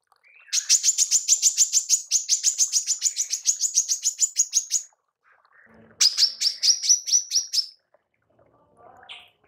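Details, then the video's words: Female manggar calling for songbird tutoring: a long, steady train of about thirty rapid buzzy high chirps, then silence and a shorter run of similar chirps, with a few soft low notes at the end. "TEMBAKAN MANGGAR BETINA PALING COCOK UNTUK PEMASTERAN BURUNG JUARA ANDA"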